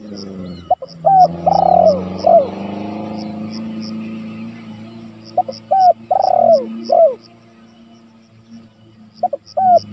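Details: Vocal spotted dove calling rivals, recorded for luring and as a training tape: two full coo phrases of short clipped notes, a long wavering coo and a dropping final note, over a low hum and steady high ticking.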